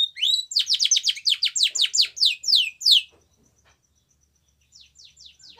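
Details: White Spanish Timbrado canary singing a training song for young canaries: a fast series of downward-sweeping high notes repeated about three times a second, then a pause and faint renewed notes near the end.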